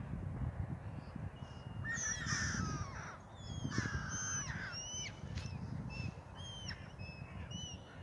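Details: Gulls feeding on bread on the Oder river at Frankfurt (Oder), Germany; repeated harsh, downward-slurred mewing calls from several birds overlap in quick bursts over a constant low background rumble.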